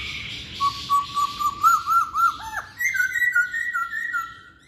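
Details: Masked laughingthrush singing a string of short looping whistles that grow louder, then a dropping note and a series of sliding, slightly downward whistled phrases.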